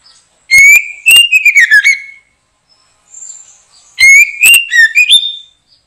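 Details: White-rumped shama in a backyard bird-trapping setting: two loud song bursts about three seconds apart, each opening with rising ringing whistles and falling into a quick tumbling run of notes, with a soft high whistle between.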